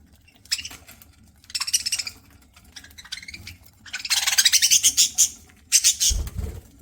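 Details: Pet budgerigar calling as it eats, giving rapid, scratchy chattering chirps in clustered bursts that grow louder and denser toward the end, ending with a low thump.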